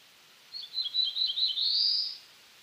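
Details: A single black-throated blue warbler song, lasting about one and a half seconds. A run of quick, high, wavering notes leads into a drawn-out, buzzy final note that climbs upward. The background is quiet.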